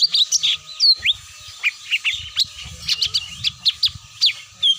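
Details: Lure call of the cucak mini, meant to draw birds down: busy high chirps and slurred whistles repeated rapidly, with soft low rustling in places and a constant faint hum.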